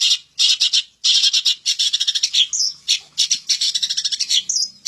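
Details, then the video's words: Long-tailed shrike isian song: dense runs of rasping, chattering notes in rapid series, broken by short pauses, with a few thinner whistled slurs near the end. "suara burung cendet isian mantan"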